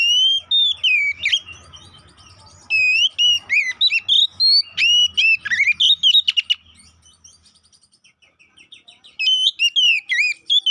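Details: Oriental magpie-robin song as a fighting lure: long bursts of loud whistled and slurred notes with sharp chips, a quieter gap of faint notes, then a final loud phrase; low hum underneath.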